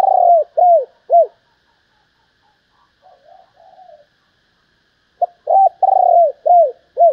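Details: Female spotted dove calling to stimulate males: three arched coos, a stretch of quiet faint murmuring, then a fresh burst of about six downward-bending coos, including one longer sustained note.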